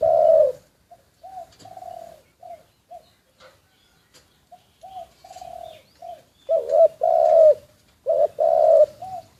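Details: Spotted dove kept as a decoy bird, recorded covertly: soft, short clipped coos at first, then louder phrases near the end, each a quick rising note followed by a longer hoarse, even coo.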